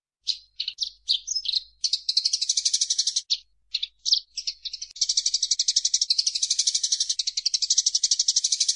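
Eurasian tree sparrow giving high, scratchy chirps that run into fast buzzy chatter, about four notes a second, with no other sounds.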